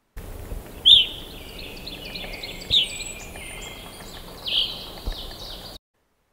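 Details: Evening Grosbeak, an eruptive species that may move south in winter in eastern North America. It has no true song and gives sweet, clear, high chirps like a House Sparrow in loose, irregular bursts, some sliding downward, over faint hiss.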